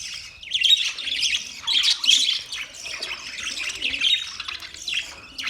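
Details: Budgies chirping close by, a continuous scratchy warble of overlapping squawks and squeaks rising and falling in loudness, no other sounds.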